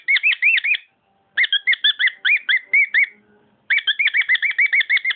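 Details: A caged pet cockatiel sings in three bursts of rapid, looping chirped notes separated by short silences. The notes are clear and bright, each one bending up and then down.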